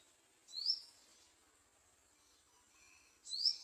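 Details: Garden sunbirds at their nest while feeding young: two quick, thin, rising squeaky notes about three seconds apart, over a faint steady high hiss.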